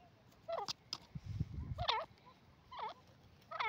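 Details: Francolin (teetar) calling: harsh, nasal, harmonic notes that bend down then up, given in short bursts about once a second, over low rumbling background noise.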